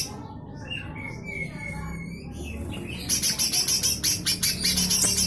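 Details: Lesser green leafbird (cucak hijau mini), rough 'besetan kasar' song recorded as tutor material for magpie-robins and shamas: a few clear whistled notes, then a long loud rattling series of harsh scratchy pulses in quick succession.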